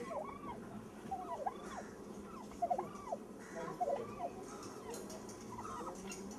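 Turkeys give arched, rising-and-falling whistled notes, roughly one a second and overlapping, from several birds over a low background hum.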